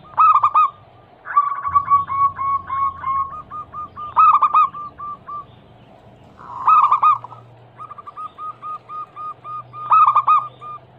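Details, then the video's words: Local zebra dove singing to lure and trigger other doves, said to be a female calling a male: four loud rolling coo bursts, each followed by a chain of short, clear, evenly paced notes. "Atasi burung perkutut MACET BUNYI - Pancingan Manjur Langsung Nyaut"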